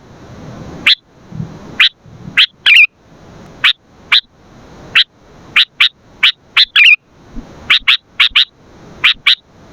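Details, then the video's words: Sooty-headed bulbul used as a lure and tutor: crisp single and paired chirps spaced irregularly, with two brief liquid warbled flourishes, over a light background hiss. "pancingan dan masteran ampuh burung kutilan"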